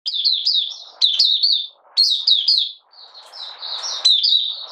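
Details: Malaysian Oriental white-eye, a hobby bird out of form and in minor moult, recorded 31 July 2023 giving buka sing: rapid high warbled phrases of slurred chirps, four bursts about a second apart with short gaps between.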